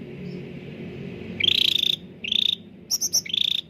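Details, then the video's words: Bulbul known locally as cucak ranting, singing to draw song from reluctant caged birds: a rising buzzy rattle, a shorter rattle, then three quick high trilled notes and a final rattling burst. "CUCAK RANTING GACOR SUARA JERNIH UNTUK PANCINGAN YANG SUSAH BUNYI || pancingan Cucak ranting"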